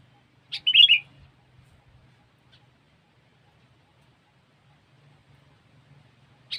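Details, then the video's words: Sooty-headed bulbul lure recording: a single bright, bubbly whistled phrase early on and the start of another at the end, with a faint low hum between them. "Suara Burung Kutilang"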